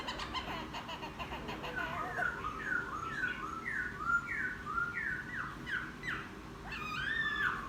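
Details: Newly caught wild laughingthrush sings after bathing, a series of about a dozen downslurred whistled notes repeated roughly twice a second, ending in higher looping whistles.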